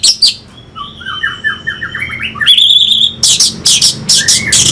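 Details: Orange-headed thrush song played as a lure to rouse fighting birds: varied whistled notes stepping up in pitch, then loud, harsh, buzzy bursts and a steady high whistle near the end.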